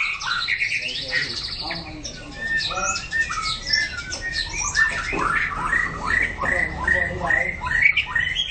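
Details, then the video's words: White-rumped shama singing in training practice, mixing harsh squawking notes with rapid whistles and downward slurs in a continuous, uneven stream, with low background hum throughout. "Chòe lửa hót luyện tập lực kéo lửa (shama bird)"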